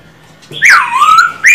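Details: A single long slurred whistle from a caged male silver-eared laughingthrush under song training, dropping from high to low and sliding slightly upward, followed by a fresh rising note.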